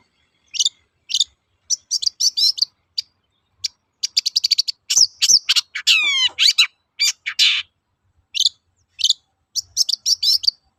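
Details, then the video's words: Energetic long-tailed shrike lure song used to stir silent birds into singing: high twitters and fast ticking series, then a run of clear whistles sliding steeply downward, followed by more chattering phrases. "BURUNG CENDET GACOR TOET-TOET, PANCINGAN AMPUH SAAT INI"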